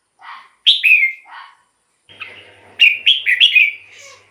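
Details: Red-whiskered bulbul singing, used to lure wild birds or stir up caged ones: lower chattering notes around bright whistled phrases of three or four quick, falling, liquid notes.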